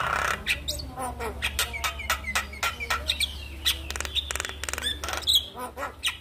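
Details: Black-winged starling morning song to prompt a lazy bird to sing: dense quick chipping and chattering notes, rattling buzzes and a few short whistles, with a low hum behind.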